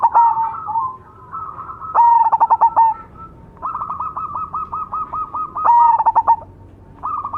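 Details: Cemani zebra dove, a black variety, singing continuously: deep, resonant bursts of quick pulsed coos mix with sustained, higher, evenly repeated clipped notes.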